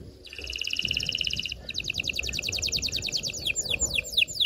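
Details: Canary singing to prepare females for mating: a fast steady trill, then a slower series of repeated notes, breaking into downward-swept whistled notes, with faint low background rumble.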